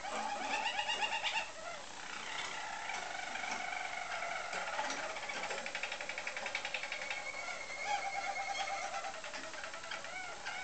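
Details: Several roller canaries in song, recorded in 2010: long, rapid rolling trills that shift between pitches, with soft gurgling passages and brief brighter whistled notes over a quiet indoor hum.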